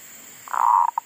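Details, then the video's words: Zebra dove kept as a decoy, singing in a garden after wild monkeys had disturbed it; a single long, smooth cooing note ending in two short beats. "Pikat andalan sudah mau manggung lagi di kebun,Sehabis di ganggu MONYET LIAR !!,sempet mogok bunyi"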